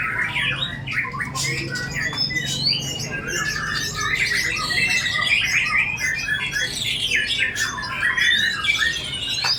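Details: Bowing murai batu, the white-rumped shama, pouring out a shrill song loaded with isian fill-in phrases; sweeping whistled slurs, chattered notes and buzzy trills follow one another in a steady stream.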